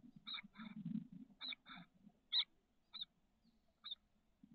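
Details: Inside a nest box on the SF Bay south peninsula, 30 May 2023, six 13-day-old Chestnut-backed chickadee nestlings: high, brief chip notes in quick pairs, then single sharp chips spaced about half a second apart, over low box rumble.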